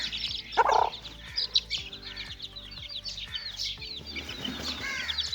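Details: Caged little chicks at play, a busy chorus of short high peeps with one loud harsh call early on and a low pulsing hum underneath.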